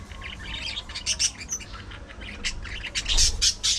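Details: Budgerigars at afternoon feeding time chatter with quick, scratchy chirps and squawks, several birds calling over one another.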